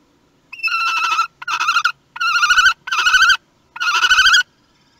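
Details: Common kestrel at its nest in Théding, France, on 18 May 2021, the day the first chick hatched, heard on the family's nest webcam: five loud, nasal, quavering calls, each about half a second long, separated by short silent gaps.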